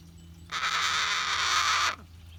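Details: Single rough, hissy screech of about one and a half seconds from a relaxing pet cockatoo, level and unwavering, over a soft room hum.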